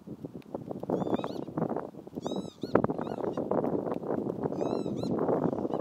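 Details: Northern Lapwing at Ljubljana Marsh (Ljubljansko barje), Slovenia, on 22 April 2024, giving three wheezy, slurred 'pee-wit' calls that rise then fall, spaced about 1–2 seconds apart, over a steady low wind rumble.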